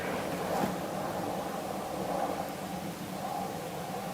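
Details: Steady low engine rumble from a vehicle on an evening drive, with broadband noise and no animal voices heard.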